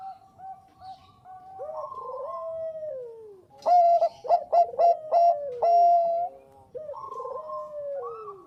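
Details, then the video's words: Bangkok zebra dove song for luring birds: soft repeated coos and a falling rolled phrase, then a loud rush of short whistled notes and a held tone, then a gentle descending coo again. "SUARA PERKUTUT BANGKOK GACOR AMPUH UNTUK PANCINGAN"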